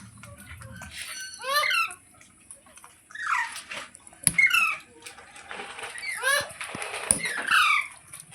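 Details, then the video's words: Ringneck parrot kept as a pet, uttering scattered screechy calls with steep falling sweeps, roughly five bursts spaced one to two seconds apart over a faint steady hiss. "Ringneck Parrot Sounds"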